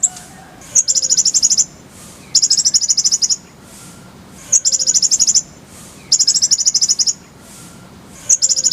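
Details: Purple-throated sunbird, locally kolibri ninja, giving repeated rolls of rapid high trilled notes, each about a second long, roughly every two seconds, each opened by a sharp chip, for tutoring songbirds.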